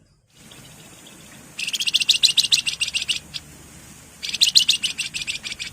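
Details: Javan fulvetta (wergan jawa) in lively full song with nyiul, nyuling and ngebren styles: two bursts of rapid, high, buzzy chirps repeated several times a second, separated by a quiet pause with faint low background hum.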